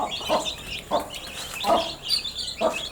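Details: Young chicks peep in a busy high-pitched jumble. Four clear dull knocks, like beaks striking a surface, are spaced under a second apart.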